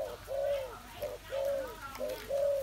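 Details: A captive spotted dove, fed on rice, gives soft, mellow arched coos about once a second on an afternoon of 21 August 2021, with faint room noise behind.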